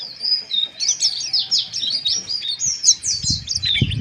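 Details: Mountain white-eye, kept bird, giving harsh chirping calls used as therapy to raise breeding arousal; rapid high, scratchy chirps and short warbled notes run almost continuously, with soft low knocks and thumps near the end.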